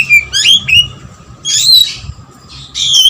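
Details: Oriental magpie-robin in full, insistent song mixed with lovebird material: quick rising and falling whistles, a loud rasping buzzy burst mid-way, and another whistled buzzy phrase closing out.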